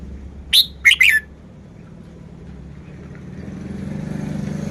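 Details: Red-whiskered bulbul song phrase of three rapid, sharp, chirpy notes ending in a downward slur, then a passing vehicle rumbling louder and louder.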